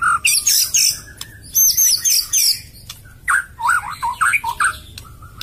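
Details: White-rumped shama (kacer) song: loud, varied bursts of high chirps, squeaky slurred notes and looping whistled phrases, delivered in quick sequences with short gaps and a few sharp clicks.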